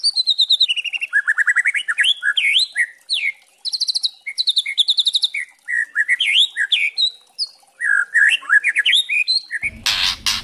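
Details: White-rumped shama of the spotted trotol type, song used as a lure to provoke other shamas into singing, kretekan style: fast varied phrases of rapid rattling notes, rising and falling sweeps, ending in a short harsh noisy burst.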